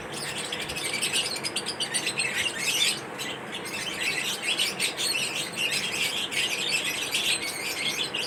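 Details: Pet lovebirds in their everyday routine keep up a continuous flock chatter of shrill, rapid chirps and occasional squawks, steady throughout with no long pauses.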